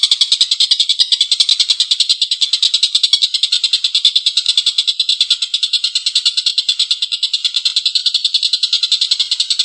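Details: Collared kingfisher in full voice with a long, coarse laughing call, a steady stream of grating, rasping pulses repeated quickly and evenly without pause, recorded for training cage birds.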